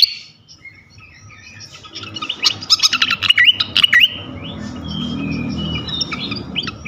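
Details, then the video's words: Lure song for provoking other flycatchers: a burst of sharp clicks and quick whistled notes in the middle, followed by softer short whistles and scattered chips over a murmuring low background. "Auto Konslet gacor ngeplong sikatan manapun sekali pancing ini."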